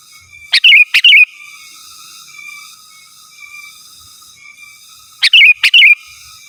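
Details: Sooty-headed bulbul rival-calling song, for luring wild birds and tutoring kept ones; two bursts of doubled gurgling whistles with click onsets, about five seconds apart, over faint high tonal hiss.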